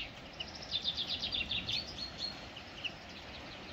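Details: Bird calling outdoors: a quick run of short, high chirps in an uneven series, followed by a few scattered single notes, over steady background noise.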